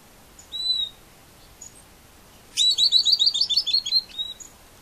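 Southern beardless tyrannulet: a single high whistle, then a quick, bright run of about a dozen high notes over a second and a half, faintly laughing.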